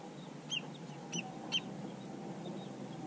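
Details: Three clipped, high keek notes from a long-billed dowitcher, spaced roughly half a second apart, with a steady mechanical hum underneath.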